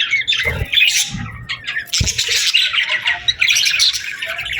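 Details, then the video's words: Birds singing and chirping at summer sunset: a loud, dense mix of high, harsh twittering and squawky notes from many birds, almost continuous, with a few low knocks near the start. "Evening Birds Chirping Sounds Effect | Summer Birds Singing at Sunset"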